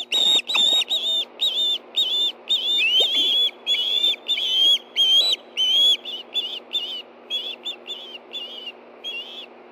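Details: A pair of ospreys food calling together at the Hellgate Canyon nest, Montana, on 9 September 2013, 7:39 p.m., one receiving a fish. A long run of about twenty shrill whistled notes, fast and steady, fading toward the end, with scraping at the start.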